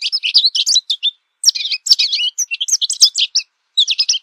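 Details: American goldfinch singing a fast, jumbled twitter of high, sweet notes and short buzzy slurs, delivered in dense bursts with a brief pause near the middle.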